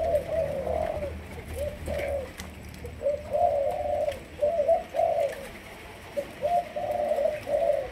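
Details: Young Malaysian spotted dove trained for decoy use. It coos in soft, low, hollow notes grouped into short bursts with pauses between them. Light background noise is heard.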